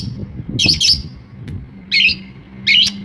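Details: Long-tailed shrike from Madura mimicking other species with short harsh chattering bursts separated by pauses, over low background rumble.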